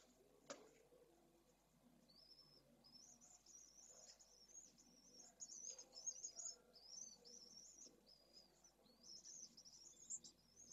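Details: Pallid swifts, recorded on 2 June 2022, give shrill, buzzy screaming trills repeated in bursts for most of the clip, over a faint low rumble and a single sharp knock near the start.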